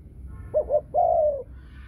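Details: Female spotted dove of Thai stock in the deep 'thunder voice' (thổ sấm) style. Two short, clipped coos followed at once by a long, smooth, gently falling coo, against a quiet low background hum.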